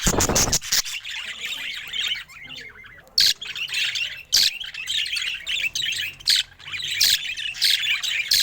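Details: Happy pet budgerigar chattering in a dense, scratchy warble of rapid chirps and squeaks. Loud taps or knocks sound near the start and at intervals throughout.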